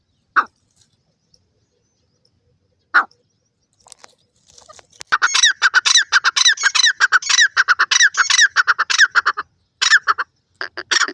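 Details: Grey francolin, a jungle teetar, calling: two isolated sharp notes, then a long loud run of quick rhythmic rasping syllables repeated in steady bursts of about two or three per second, briefly pausing once.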